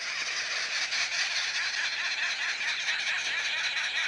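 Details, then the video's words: Arrow-marked babblers calling at sunrise in April at a South African game reserve, cackling together: a dense, continuous wash of harsh, scratchy chatter with no clear pauses, heard faintly at a distance through broadband hiss. "Just wait for the arrow-marked babblers to finish their story."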